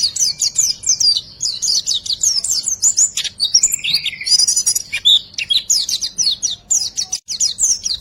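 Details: White-eye, fully filled 'riwikan' song for tutoring quiet birds into song: fast, unbroken high twittering with bubbling slurred notes and one brief buzzy phrase midway.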